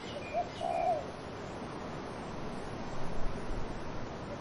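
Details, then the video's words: Cooing dove with wind in the trees: a single phrase of a short note and then a longer wavering coo opens the recording, followed by steady wind noise with gusts. "Dove cooing wind in trees"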